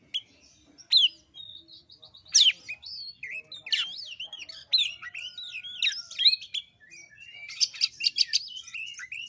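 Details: Varied white-rumped shama song meant as a lure for a bird that will not sing: loud whistled swoops and abrupt notes with scratchy trills, over a faint low rumble.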